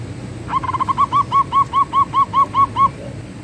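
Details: Zebra dove, a local Perkutut bird, singing its manggung song: a soft cooing run of about a dozen rounded notes, quick at first then evenly spaced roughly every quarter second, over faint background hiss.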